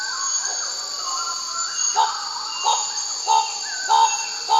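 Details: Bird-of-paradise calling with a series of short, downslurred, harmonic-rich notes repeated roughly every half to two-thirds of a second, over a steady high insect drone.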